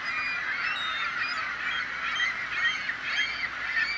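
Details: A dense chorus of gulls, many shrill, wailing calls overlapping into a steady noisy din with a few clearer squeals standing out near the end.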